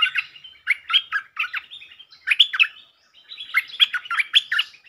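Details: Stripe-throated bulbul, a territorial resident bird provoked into singing, giving bursts of rapid, bubbly chattering notes in clustered phrases separated by brief pauses, with no other sounds.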